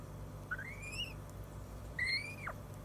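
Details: African grey parrot calling after eating its fill: two clear rising whistles, each sliding upward and the second ending in a sharp drop, over a low steady indoor hum.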